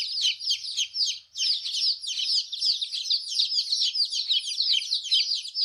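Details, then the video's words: Baby chicken chicks chirping: many overlapping high, sharp peeping notes in a continuous busy chorus, each peep short and slightly falling, with a brief lull near the start. "Chicks chirping Sound baby chicken"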